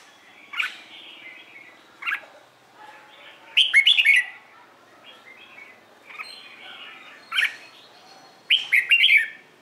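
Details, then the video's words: Red-whiskered bulbul singing in the morning, competitive song for training birds; a series of short chirps and warbled whistled phrases every second or two, the louder phrases rich and bubbling, softer notes between. "LUYỆN CHÀO MÀO HÓT ĐẤU/ HƠN 12 P CHÀO MÀO HÓT BUỔI SÁNG KÍCH BỔI RA GIỌNG HÓT THEO THUẦN CHIM NHANH"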